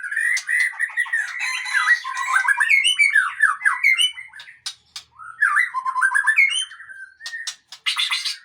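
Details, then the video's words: Male white-rumped shama delivering a lively medley of sweet whistles, slurred rising and falling notes and quick chips, in dense bursts broken by short gaps. "Murai Aceh # Jantan Tangguh"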